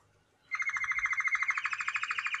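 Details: After a short quiet start, a male canary launches into a continuous rolling trill that creeps slightly upward in pitch. A faint low hum sits underneath.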